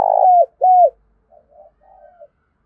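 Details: Spotted dove kept as a decoy giving two loud, hoarse coos with dropping ends, followed by three soft, low, trailing notes.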